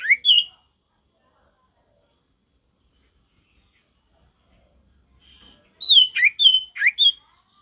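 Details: Male sirtu with natural forest sound: an opening whistle, a long silence, then a loud run of high slurred and whistled notes.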